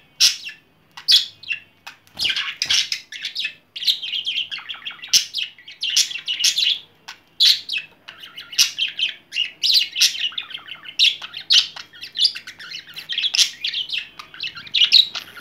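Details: A six-month-old male budgerigar, flirting with an adult female cockatiel, chatters in a fast stream of scratchy chirps, clicks and warbled notes.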